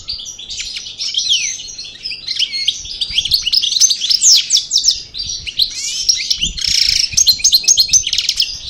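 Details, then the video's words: Post-moult song of a European goldfinch, subspecies parva, El Bordj Cravaty style: a long, rambling stream of sharp twitters, quick descending slurs and a brief harsh buzzy patch near the end, about four notes a second. "Chardonneret Parva Cravaty D'el Bordj Sortie De Mue Repassage"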